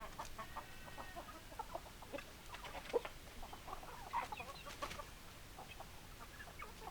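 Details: Hens clucking: a steady scatter of short, soft clucks and murmurs from several birds, irregular and overlapping, over a low background hiss.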